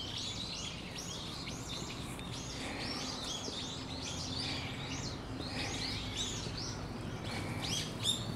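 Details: Brown-eared bulbuls sounding their bird-of-prey warning in November 2013: a steady stream of short, high, arch-shaped notes, several per second, overlapping in places, over faint low rumble.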